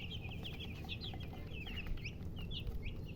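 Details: Young chicks peeping busily, high short chirps with a few sharper, higher notes mixed in, over a constant low rumble.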